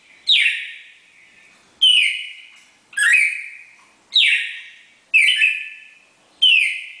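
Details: Pair of red-crested cardinals giving the classic four-note Bagé song style: six loud, clear whistled phrases, each a sharp downward-sliding note settling into a steady ringing tone, repeated about every second and a quarter, with a quiet background.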